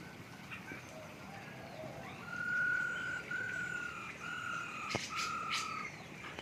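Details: Masked laughingthrush in an aviary gives long, loud, level whistles in a steady series after a quieter start, broken by a few sharp clicks or knocks.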